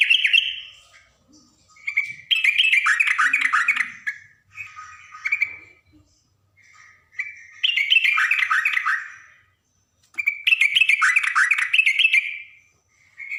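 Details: Yellow-vented bulbul, a female calling to a male. Loud bursts of bubbly, rapid chattering notes come in several rounds separated by short pauses, with brief clear notes between the bursts.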